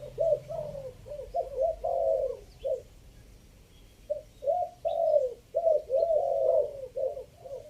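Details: Spotted dove, Chiang Mai, Thailand, three-kuk decoy song, part five: two phrases of soft coos, short notes building to longer warbling ones, separated by a quiet gap of about a second and a half.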